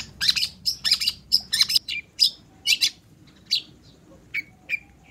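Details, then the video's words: Long-tailed shrike in full, steady song, played to spur other shrikes into singing: harsh, scratchy bursts of high chattering notes in quick clusters, with a few thinner whistled notes spaced out near the end. "SUARA CENDET GACOR"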